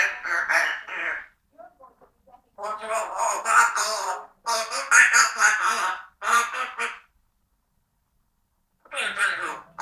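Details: Talking parrot kept as a pet, chatting: loud, raspy, quack-like vocal bursts strung into long runs of rapid syllables lasting one to two seconds, then a two-second silence before another burst.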